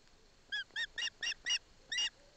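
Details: In Barlinek Forest a young osprey, with its mother beside it, receives fish from the father, giving six loud, clipped, ringing chirps spaced roughly a quarter second apart over quiet background.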